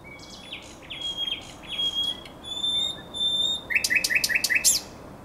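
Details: Night song of a common nightingale at the Żerań Canal in late April 2022: sliding whistled notes and sustained high tones, ending in a quick series of loud rasping chirps.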